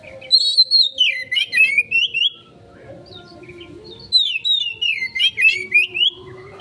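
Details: Oriental magpie-robin (kacer) used as a lure to draw a quick response from other birds; two bursts of loud whistled, warbling phrases, each sliding from high down to lower notes and back up, about four seconds apart, with faint low background tones.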